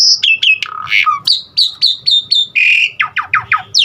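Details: Asian pied starling, varied song of mimicked sounds meant to stimulate other starlings: sharp high notes, harsh squawks, a series of short falling whistles, then rapid downward swoops repeated about every fifth of a second.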